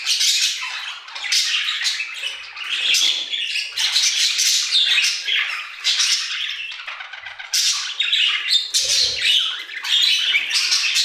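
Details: Budgerigars singing together in an aviary: steady, rapid chattering of squeaky chirps and rasping warbles, loudness swelling in waves, with a brief low thud near nine seconds.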